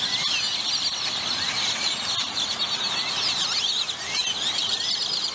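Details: Many grackles calling together at a gathering spot in McAllen, Texas, a constant, crowded din of high squeals, rising whistles and chatter layered thickly over low traffic-like noise.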